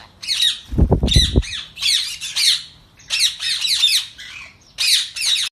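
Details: At feeding time during training, an Indian ringneck parakeet utters repeated grating squawks in clusters, with a short low thumping noise near the start.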